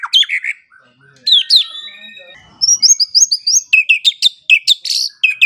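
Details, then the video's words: Training song of a white-rumped shama, masteran for songbirds in the morning and evening: loud slurred whistles, a quiet gap, then a rapid series of sharp, evenly spaced chipping notes. "Pancingan dan Masteran Pagi dan Sore Hari Murai Pendiam Langsung Ikut Bongkar Isian | shama bird"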